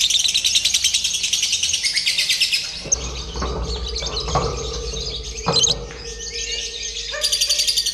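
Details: Lovebird in a simulated contest session meant to train it for singing competitions. Dense, rapid high chattering for nearly three seconds, then lower knocks and a steady hum, before the shrill chatter returns near the end.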